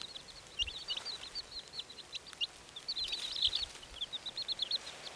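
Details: Red Silkie chicks giving rapid high-pitched peeping chirps, short downward and upturned notes tumbling over one another continuously, several chicks calling together with faint background hum.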